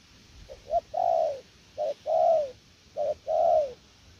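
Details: Cooing spotted dove, "gù lèo nước" style: soft short notes each followed by a drawn-out, rounded, gently descending coo, three phrases in close succession against a quiet backdrop.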